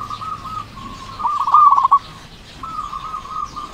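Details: Strong-voiced local zebra dove, kept to stir silent doves into calling: soft steady cooing notes leading into a loud rapid stuttering burst of coos, then quieter cooing resumes.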